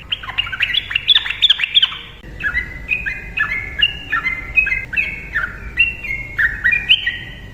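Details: Yellow-vented bulbul in full gacor ropel song, used as a lure to set silent trucukan singing: a dense opening burst, then a steady run of bright, slurred, bubbly two-note phrases repeated in quick succession.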